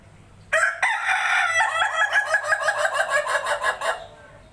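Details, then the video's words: A laughing chicken (ayam ketawa) rooster, used as a lure to draw replies, gives a harsh opening note, then a fast, stuttering run of about a dozen short laughter-like pulses over a faint low hum. "suara ayam ketawa"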